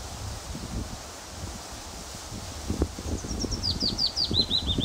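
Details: A male willow warbler sings on his territory in a wind-blown tree in June 2014 at RSPB The Lodge, Sandy, Bedfordshire: a soft, sweet phrase of high notes cascading gently downward, after rustling and low thumping from the wind.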